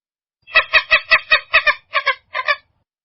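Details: Purple gallinule's rough, clucking notes recorded cleanly without added effects: about seven loud harsh notes in rapid sequence, the last ones paired, the series slowing as it ends.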